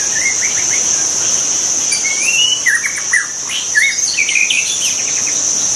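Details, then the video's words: Wild white-rumped shama giving soft whistled phrases and a longer wavering whistle, with clusters of quick chirps, partly masked by a loud continuous high insect hum. "kicau burung murai batu di alam liar"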